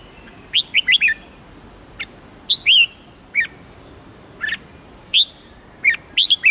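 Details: Red-whiskered bulbul giving scattered single and paired chirps, some sharply rising, others dipping, spaced irregularly over several seconds rather than in continuous runs.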